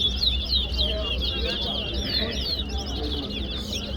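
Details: Competition singing from towa-towa seed finches at Guyana National Stadium: fast, tumbling high-pitched twitters and slurred whistles in continuous rapid phrases, over low rumbling background noise while a person counts the songs.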